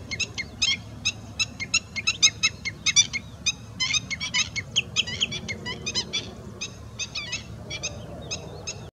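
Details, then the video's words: Common redshank (Tringa totanus), several birds giving a rapid, excited string of sharp, high piping notes, with a low wind-like rumble underneath. "Perna-vermelha // Redshank (Tringa totanus)"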